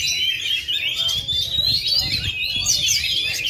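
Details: Oriental magpie-robin, a kept songbird that has gone 2.5 years without moulting yet still performs at full power, singing a bright, sweet whistle rising steadily in pitch, laced with quick chirps; low murmuring voices underneath.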